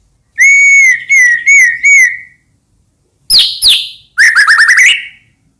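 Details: White-rumped shama song played as a lure for other shamas: steady clear whistles repeated three times, two sharp downslurred notes, then a quick stuttering whistled trill.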